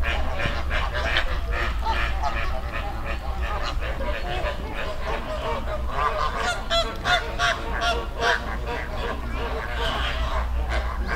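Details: Flock of flamingos in a river in the Dominican Republic; dense overlapping honking, goose-like calls from many birds at once, continuous and loud throughout, with a steady low rumble beneath.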